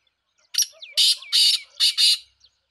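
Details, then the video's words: Harsh, grating call of a black francolin: one clipped opening note followed by two drawn-out rasping notes and a final double note, with faint thin whistles from smaller birds between them. "titar sultan voice"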